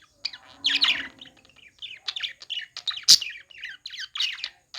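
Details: Playing budgies chirp in a string of short, quick twittering notes and scratchy warbles with small gaps between them, plus a faint low murmur early on and one sharp click.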